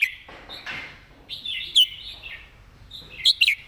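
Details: Caged red-whiskered bulbul with its master song: soft, scratchy warbling broken by one bright whistled note midway and a closing pair of quick, sharp whistles.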